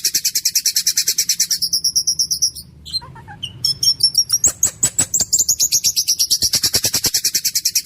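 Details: Caged white-rumped shama in full song, delivering rapid rolling trills of repeated high notes, then a varied burst of sharp scattered notes, returning to a fast even roll; described as harsh yet clear, with a low hum underneath.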